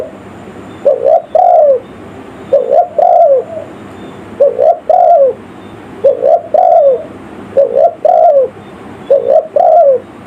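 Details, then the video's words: Spotted dove giving the village-style lure call used to attract wild forest birds: low, mellow phrases of a quick two-part coo followed by a longer, falling croo, repeated steadily about every one and a half seconds, seven phrases in all. "suara burung tekukur pikat.suara kampung.elok untuk pnlangil burung hutan"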